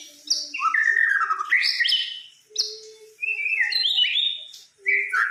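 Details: White-rumped shama, described as a fighter bird, from Samarinda: loud, varied whistled phrases with sliding notes and sharp upward sweeps, sung in bursts separated by short pauses.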